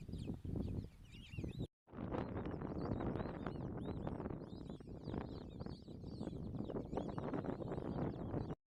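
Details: A flock of white-faced whistling ducks playing on the water at Apollo Dam, Chipata, Zambia gives many thin, high overlapping whistles in a constant chatter, over a steady low rumble of wind or water.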